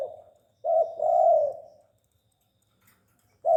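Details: Cooing from a tame spotted dove: a fading note, then a short note and a long rounded coo, silence, and the start of another phrase.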